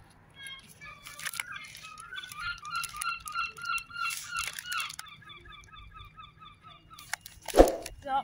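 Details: Gull begging for food in 2023: a run of short, nasal, evenly spaced harmonic calls, some rising and falling, with a faint human voice and a sharp knock near the end.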